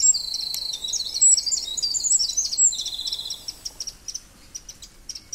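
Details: Wren heard while an artist works on a fern wren picture: a fast, high, rattling trill of rapid notes for about three seconds, then quieter scattered ticks and clicks.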